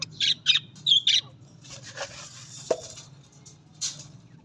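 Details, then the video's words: Budgerigar calls: four sharp, scratchy chirps in the first second, then a softer rustling wash of sound with a faint chirp near the end, over a low background hum. "Australian Budgies parrot voice Australian parrot voice"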